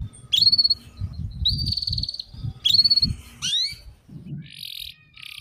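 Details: Canary song used to tutor young canaries toward the ngeriwik sound: level trilled whistles repeated in bursts, a rising sweep, then buzzy notes, over a faint low background hum.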